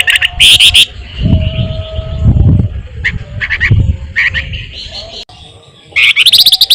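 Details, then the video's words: Flamboyan singing, a lure for songbirds: loud bursts of fast trilled notes open and close the phrase, with scattered short chirps between them, over low rumbling background noise. "flamboyan gacor paling rajin ngerol ngebren sangat ampuh buat pancingan burung kicau"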